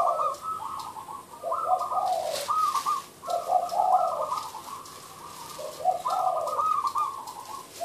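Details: Derak-style cooing of a zebra dove (merbuk). Quick, bubbly notes jump between two pitch levels in repeated phrases separated by short pauses, with a brief rustle near the middle.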